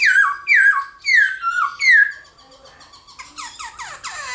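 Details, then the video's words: Black-throated laughingthrush singing competitively as a morning stimulus for other birds; four loud, ringing descending whistles roughly every half second, followed by softer chatter and a burst of steep harsh sweeps. "Khướu bạc má hót đấu kích khướu căng lửa | khướu bạc má hót múa buổi sáng"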